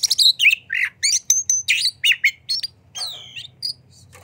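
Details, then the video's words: White-rumped shama singing, used to stir other shamas to sing: rapid sequence of sharp chirps, bright whistles and scratchy notes, each burst separated by tiny gaps, a slurred whistle near the end. "Pancingan Suara Kacer Gacor Buka Ekor! Buat Kacer Lain Pasti Ikut Emosi Gacor Ngobra"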